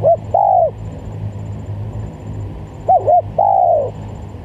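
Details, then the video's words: Spotted dove lure call, two phrases of twin short coos and a long bowed coo, with low hum and a faint high pulsing tone. "Pikat Tekukur"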